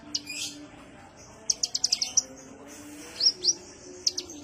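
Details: Kolibri ninja sunbird's calm lure call: a buzzy opening note, a fast group of high chips, then two rising whistled notes and a final sharp chip.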